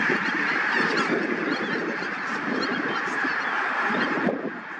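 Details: Greater white-fronted geese in a large flock at Tiskre beach, Tallinn, Harju County, Estonia, keep up a dense, continuous chorus of high, yelping, laughing honks that overlap without pause.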